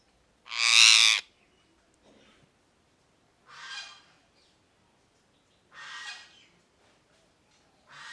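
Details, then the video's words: Parrot giving one loud harsh squawk followed by three fainter rasping calls spaced about two seconds apart, with a light background hiss. "Parrot Chirping Sounds | Natural Parrot Sounds | Parrot Calling Sounds"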